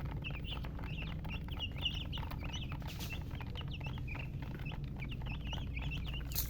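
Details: Baby chickens chirping: a crowd of high, downward-slurred peeps overlapping in quick succession throughout, over a steady low droning hum.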